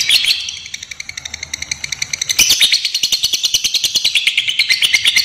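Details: Ngekek panjang, the long trill of a fighter lovebird used as a lure and master recording for young birds: rapid high chattering that softens briefly, then jumps louder after about two seconds and runs on evenly.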